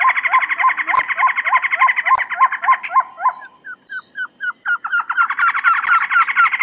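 A trogon gives a steady series of hoarse, hooked notes, about three or four a second, then a quicker chattering run. A thin, high insect-like hiss runs behind.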